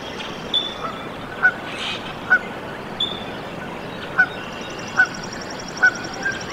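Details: Canada goose goslings newly hatched in a nest at Decorah, Iowa, USA, 14 April 2024; short, sharp peeps repeat roughly once a second over steady hiss, with faint higher chirps from other birds.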